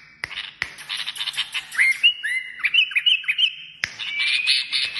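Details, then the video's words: Kashmiri songbird song: a few sharp clicks, then a sequence of clear whistled slurs and short rising notes, followed by a burst of fast buzzy twittering. "تغريد كشميري"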